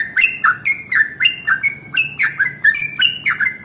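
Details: Yellow-vented bulbul singing a long rolling song in the morning, used as a lure to make other bulbuls sing; a quick, steady run of short bright notes, each slurring downward, about three to four per second, with sharp clicky edges.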